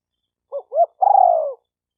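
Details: Spotted dove calling: two short low hooting notes followed by a longer drawn-out coo that slowly falls in pitch, clean with no background sound.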